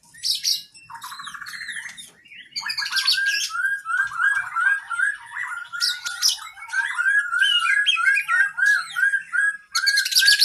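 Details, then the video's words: Kacer, an oriental magpie-robin kept as a cage bird, in full training song: a steady series of fast repeated whistled notes around one pitch, broken by loud scratchy high bursts and a rattling trill. "Masteran Burung kacer Gacor isian Panjang"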